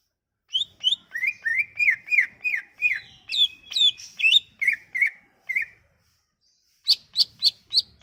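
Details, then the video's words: Sumatran leafbird singing, played to coax leafbirds that have stopped singing: a fast stream of bright downslurred whistles, then a pause and a few sharp high chips. "Kicauan ini MAMPU memikat cucak ijo MACET bunyi"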